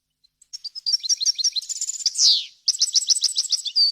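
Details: European goldfinch song recorded for breeders to train young birds: a run of quick tinkling chirps builds into a dense twitter, broken by a loud descending buzz, then more bright staccato notes.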